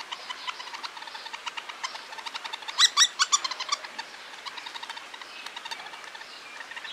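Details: Hairy woodpecker father with red nape patch feeding a fledgling in Toronto; rapid series of short sharp chirps and clicks, building to a louder burst of harsh calls midway, then scattered quieter chips.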